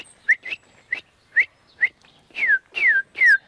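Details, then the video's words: Eurasian nuthatch heard while walking through Lurdes d'Arenys de Munt in the Corredor-Montnegre park, Catalonia: a series of loud, clear whistled notes, early ones short and upslurred, later ones longer and falling, about eight in three and a half seconds. "Ja el tens identificat? Sí, és un pica-soques blau."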